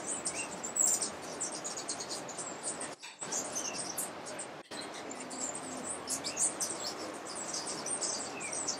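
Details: A Rufous-tailed Hummingbird (subspecies jucunda) in Alambi Cloud Forest Reserve, Ecuador, in May 2012 gives thin, very high ticking and chipping notes in a rapid, irregular stream, over a steady hiss of insects and other birds.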